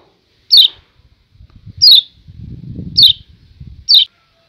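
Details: Lombok yellow white-eye (kecial kuning) giving "ciak ciak" calls, used to stabilise breeding condition: four sharp, high, descending chip notes about a second and a half apart, with a faint low rumble between them.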